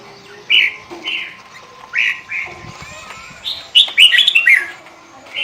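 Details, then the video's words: Sooty-headed bulbul (kutilang) pikat gacor lure song: separate rounded, whistled notes about half a second apart, then a quicker cluster of bright, chattering notes near the end, over a faint steady background hum. "Burung kutilang pikat gacor isian fulll"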